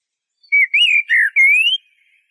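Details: Eurasian blackbird song phrase of four fluty whistled notes, the first wavering, the last a long clear whistle gliding steadily upward, in an otherwise quiet recording.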